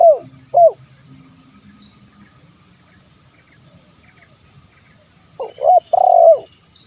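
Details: Spotted dove 'kuk 1' call meant to lure wild birds: low hooted coos at the start and again near the end, separated by a quiet stretch with faint insect-like buzzing in the background.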